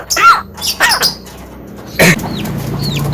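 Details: Javan myna giving three harsh, rasping bursts in the first two seconds, then a louder grating note followed by two short, high, downslurred whistles against a low steady hum.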